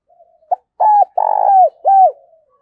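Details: Giọng thổ style spotted dove call used as a lure to draw birds: a faint soft coo, then a clipped note, an arched coo, a long rolled purring coo and a falling closing coo, low-pitched and clean.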